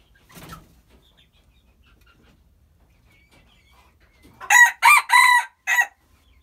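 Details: Hybrid red junglefowl crowing: after a brief soft sound and a quiet stretch, four loud, harsh, harmonic bursts follow in quick succession, the third the longest, ending the crow.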